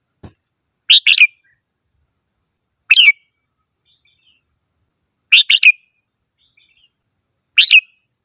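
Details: Red-whiskered bulbul singing four brief chirpy phrases of two to three rapid whistled notes, spaced about two seconds apart, with a faint tap at the start and quiet background.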